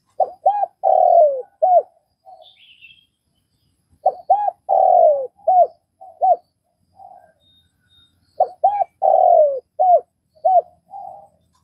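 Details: Spotted dove from Vietnam cooing in three evenly spaced phrases about four seconds apart. Each has quick arched notes, a long descending coo and short clipped notes, with quiet soft coos after each and a brief high chirp.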